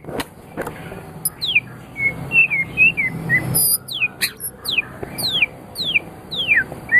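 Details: White-rumped shama of the Medan type, a champion-quality bird used to stimulate other birds to sing: sparse high downslurred whistles and sharp clicks over a low background hum.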